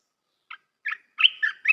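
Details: Short Red-whiskered bulbul phrase for tutoring young birds: two separate chirps followed by a slurred, bubbling warble that rises and dips.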